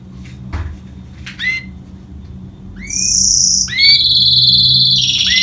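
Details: Hybrid of goldfinch and canary: rising whistled slurs, then extended shimmering trills at several pitches, ending in another upward whistle, all in a quiet indoor setting.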